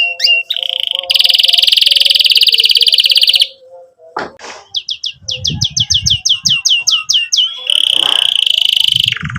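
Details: Canary in full, emotional chirping song, meant to prompt young birds to learn and silent canaries to sing again. Buzzy trills and a low whistle, a brief pause, then a dozen crisp swept chirps running into a long rapid trill.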